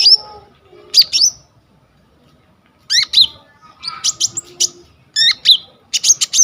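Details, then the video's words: Coconut lorikeet in full, varied song ('gacor full isian'), used as a master song for training kolibri ninja birds, recorded on a vivo Y21 phone: sharp, screechy, harmonic high notes in bursts separated by brief pauses. "KONIN GEACOR FULL ISIAN 99% COCOK BUAT MASTERAN KOLIBRI NINJA TROTOL/IJOAN"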